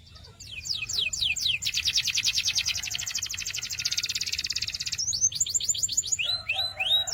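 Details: Canary delivering sweeping down-slurred notes, then a long dense buzzing roll of rapid repeats for about three seconds, then more quick slurred notes and lower chirps.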